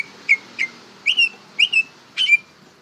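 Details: Greater green leafbird juvenile practising song with a few short whistled notes followed by paired slurred whistles, each pair quickly repeated, over faint background hiss.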